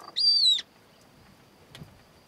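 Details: At first light, a female Montagu's harrier gives one thin, high, slightly falling whistle under half a second long, begging food from the male. She is on a stone between cereal farms in her breeding territory, and a faint click follows in near silence.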